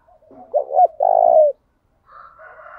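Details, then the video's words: Spotted dove used as a lure to draw birds in and spark a singing duel: two short low notes and a held coo, followed after a pause by a higher, chattering call from another bird. "Tiếng chim cu gáy mồi thúc đấu giọng hay, tiếng chim cu gáy thúc bổi nhanh về cội, chim cu gáy đất"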